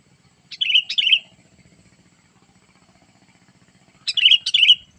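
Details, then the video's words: Wild-bird lure call of a sooty-headed bulbul: two bubbly, slurred chirps, a gap of about three seconds over a faint low rumble, then another matching pair of warbling notes. "memikat burung kutilang dengan suarany yang gacor"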